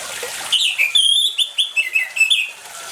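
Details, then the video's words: Orange-headed thrush singing vigorously, mixed with water to prompt non-singing birds: a dense, continuous string of sweet whistled phrases, quick slurs and high twitters, over faint running water at the start. "ANIS MERAH GACOR DENGAN SUARA AIR"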